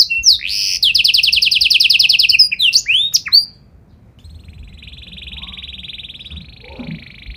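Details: Canary in vigorous song with special phrasing, meant to make other canaries reply: a rapid trill of repeated rising notes and a few sharp swoops, then a quieter thin sustained buzzing roll that carries on to the end.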